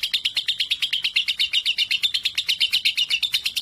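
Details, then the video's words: Young lovebird, 3.5 months old and said to sing confidently beside adults, giving rapid, slightly uneven, scratchy chirps in a continuous burst. "Lovebird 3.5 🌒 berani trek dengan dewasa dan Cocok buat masteran"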